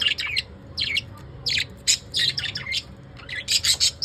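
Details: Evening calls of pet lovebirds: loud, high chirps in short bursts, closely repeated, with a soft low hum behind.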